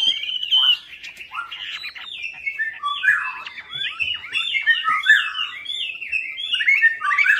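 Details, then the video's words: Chinese hwamei song played to lure birds that have stopped singing: a dense, loud, varied warble of slurred whistles and chattering notes, sweeping up and down without pause throughout. "PANCINGAN WAMBI MACET"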